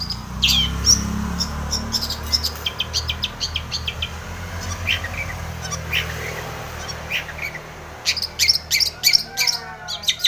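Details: Long-tailed shrike in full-fill song meant to provoke other shrikes to sing: scattered high chirps and short notes over a steady low rumble, with denser rapid chirping near the end.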